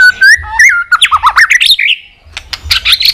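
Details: Fighting song of a white-rumped shama: slurred whistles rising into quick chattering sweeps, a brief pause, then high twittering and clicks.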